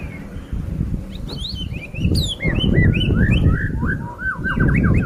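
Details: White-rumped shama singing a run of short whistled, slurred notes, many falling in pitch, quickening into rapid repeated phrases toward the end, over a loud, steady low rumbling background.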